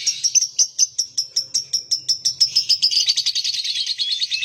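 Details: Lovebird giving a fast run of sharp, evenly spaced chirps, about four a second, that speed up and merge into a rapid trilling chatter toward the end.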